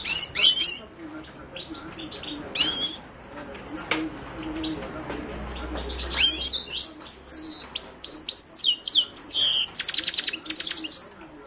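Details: Himalayan goldfinch (Carduelis caniceps) singing: bursts of high twittering notes early on, then a fast run of sharp chirps and trills with a buzzy rattle near the end, faint low hum beneath.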